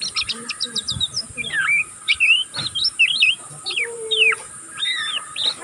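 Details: Young oriental magpie-robin still learning to sing, twittering without pause: fast, varied high whistled notes, short upslurs, downslurs and zigzag phrases, with brief clicks between them over faint low background noise.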